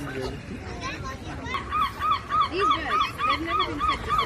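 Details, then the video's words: Seagulls flying by the ocean: one gull gives a steady run of short, arched, nasal yelps about three per second over a chatter of other gulls, with a low surf-like rumble beneath. "Seagull Sounds"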